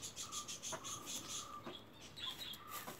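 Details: Newly hatched emu chick, zero days old, giving a run of short, steady whistled notes at one even pitch, several per second, with thin high chirps and hiss sitting above them.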